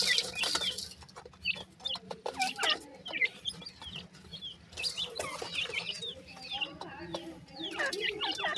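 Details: Group of black francolin chicks, male and female, making scattered high curling whistled peeps in bursts, mixed with clattering scuffles and brief noisy rustles between the calls.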